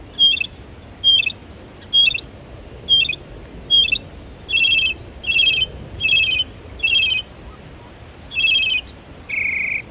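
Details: Northern mockingbird imitating other birds at Belle Isle Marsh Reservation, East Boston, Massachusetts; a clear high note repeated at steady intervals switches to a fuller buzzier phrase repeated several times, ending on a flat whistled tone.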